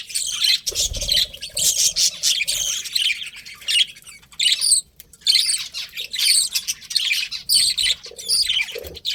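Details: Budgies squawk and chirp in short repeated phrases about eighty-five a minute, harsh buzzy notes alternating with higher squeaks, plus a faint low hum.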